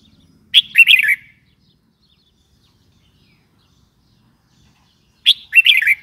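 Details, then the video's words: Two short, cheerful warbling phrases from a red-whiskered bulbul, each a burst of clear bubbling whistles, separated by nearly five seconds of quiet. "Red whiskered bulbul call 04"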